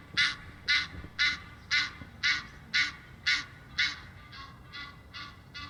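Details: In Muizenberg, South Africa, on 16 May, Egyptian geese exchange honk and flight calls; a steady run of about a dozen harsh, hoarse honks, roughly two per second, the last few softer.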